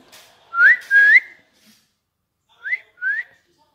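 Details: Pet parrot talking, its words given as Mitthu Mitthu: four short whistled syllables, each rising sharply, delivered in two quick pairs about two seconds apart in a quiet indoor room.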